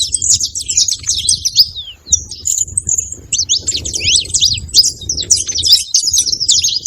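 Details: Saffron finch making noise: dense, rapid high chirps and short sharp notes, overlapping and nearly continuous, with a brief pause near two seconds and faint low background rumble.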